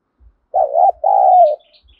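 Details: Spotted dove calling, used to provoke wild doves: one mellow two-part coo, brief wobbling first note then a longer even hoot, with faint high chirps of another bird afterward.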